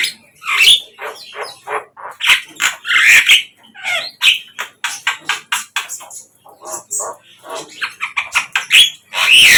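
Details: Wild flycatcher delivering a long, uneven stream of rapid, harsh chips and twittering notes, broken by short gaps, with bright louder phrases scattered through the sequence.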